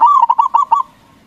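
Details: Local zebra dove with a big, loud voice, singing to provoke rival doves into answering; one quick bubbly phrase of about six rolling cooing notes in under a second, then quiet.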